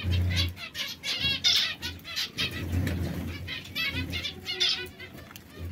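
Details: A trio of caged canaries, red, yellow and brown, that occasionally quarrel. Repeated short, curved twittering notes come roughly every second, with soft fluttering and a low steady hum behind them.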